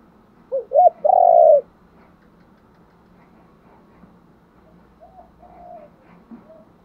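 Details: Luring coo of a spotted dove: a clear phrase of two brief hooted notes leading into one long, level coo. Faint, distant coo fragments follow during the quiet seconds afterwards.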